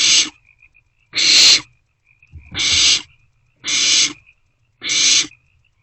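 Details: Wild barn owlets in a nest box at night, 27 March 2024, around 2 am, sharing a meal and passing it back and forth; five harsh, broadband hissing screeches, each about half a second, repeated roughly every second.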